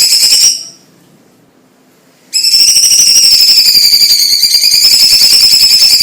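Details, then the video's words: Chinese leafbird, kept as a songbird for tutoring other birds, giving a dense high whistled warble with rapid repeated notes, a short burst, a pause of nearly two seconds, then a long continuous trilling stretch. "Suara Ocehan BURUNG CUCAK IJO CINA Gacor - CUCAK CUNGKOK Untuk Masteran Dan Pancingan"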